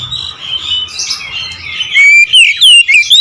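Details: Oriental magpie-robin singing "nembak ngerool": a low, scratchy subsong murmur, then a sudden run of loud, piercing whistles rising and falling rapidly.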